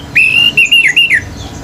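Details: A pure male Orange-headed thrush sings intensely to provoke other birds. A brief phrase opens with a long steady whistle, followed by four short linked notes that end in a downward slur.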